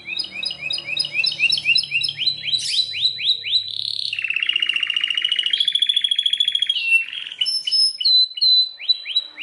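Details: Belgian canary delivering fast repeated upswept chirps, then a long steady rolling trill, followed by high piercing whistles and more rising chirp series.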